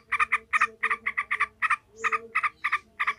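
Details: Yellow-vented bulbul chattering furiously in the 'ngekek' style used to train other bulbuls to fight: quick paired harsh notes repeated about three times a second over a steady low electrical hum.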